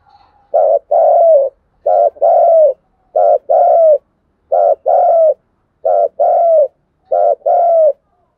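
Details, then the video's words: A spotted dove's thúc gù luring call, low hollow coo pairs, each a brief note then a longer falling one, delivered six times in steady rhythm, roughly every 1.3 seconds, with no other sounds. "tiếng chim cu gáy thúc gù, tiếng chim cu gáy thúc bổi về cội"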